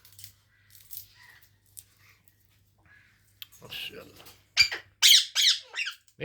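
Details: Pet Indian ringneck parrot indoors: soft chatter and murmuring give way to a burst of loud, grating squawks near the end.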